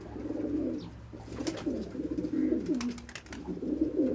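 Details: Throaty pigeon coos follow one another closely, bubbling low phrases with a few sharp clicks mixed in.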